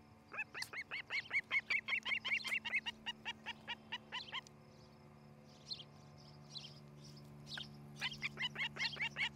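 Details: Osprey at a nest in Charlo, Montana, on a nest camera on the morning of 07-11-2018. Long runs of loud whistled cheeps, about two and a half per second, break off for a few seconds of quieter scattered sounds, then resume.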